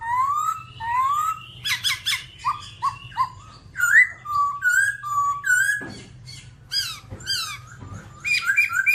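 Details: Varied babbler song mixing rising whistles, sharp chirps and short slurred notes in a lively, irregular sequence, over a faint low hum.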